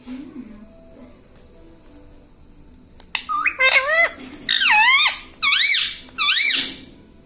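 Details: Talking parrot repeating "Mummy": after three quiet seconds with a faint low hum, four loud, evenly spaced harmonic calls that dip and rise in pitch, each about half a second long.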